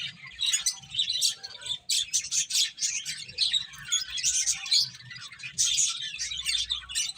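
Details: Finches chirping while eating, a crowded flock chatter of quick high tweets and buzzy notes, steady and busy across seven seconds with one short quiet gap early on.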